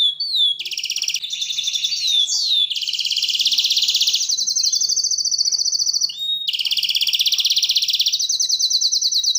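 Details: Singing canary mixing quick whistled slurs and chirps with sustained, fast rolling trills at several pitches, switching smoothly between tours, with a brief pause before a fresh high trill.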